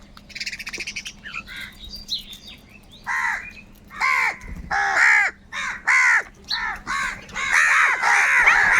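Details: Crows fighting for food, calling loudly: a fast, uneven series of harsh, nasal caws, each short and hoarse, several birds overlapping and growing louder toward the end, after a brief burst of higher chattering at the start.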